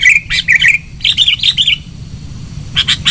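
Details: Sooty-headed bulbul lure song, loud: quick runs of bubbly, slightly warbled notes in two bursts, then a pause and a short trio of higher chirps.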